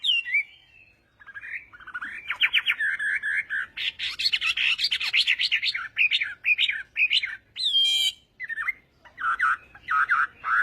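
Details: Chinese hwamei singing contest at morning practice: a quiet start, then loud, varied phrases mixing rapid trills, harsh chattery notes and bright whistles, in irregular bursts.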